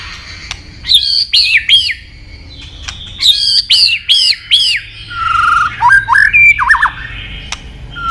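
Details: Song of a white-rumped shama, a favourite of songbird fans: series of high arched whistles repeated about four times, a second similar run, then lower twisting notes and scattered sharp clicks.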